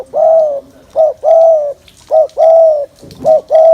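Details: Spotted dove giving its coo to excite males fast for trapping; steady low phrases, each a clipped note followed by a long smooth coo, repeated roughly once a second.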